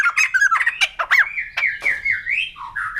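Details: Noisy, squawking phrases from a white-crested laughingthrush: quick chattering notes run into a long, slightly wavering whistled tone that dips lower at the end.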